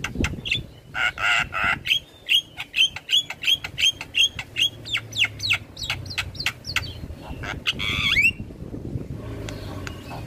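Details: Javan myna in full head-bobbing song, used as tutor audio for all starling types: a harsh rasping burst, then a long rhythmic run of short clicks and whistled chirps about three per second, a buzzy rising squawk, and scattered clicks.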